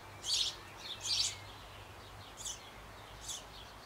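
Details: Sparrow nestlings in a birdhouse on an old apple tree in Bavaria, Germany, shortly before fledging, calling while the parents feed them: four faint, raspy high chirp bursts, two close together, then two spaced out, over a low steady hum.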